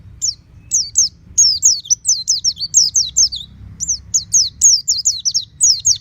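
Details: Home-kept oriental white-eye in full 'ngeplong' song, beak wide open: sharp, high, descending whistled notes, some paired, some strung into fast twittering phrases for six seconds, over faint low background rumble.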